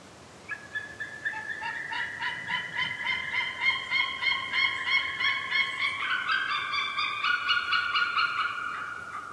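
A white-tailed eagle gives a long, rapid series of harsh yelping notes, about four per second, steady at first and then dropping lower and overlapping toward the end.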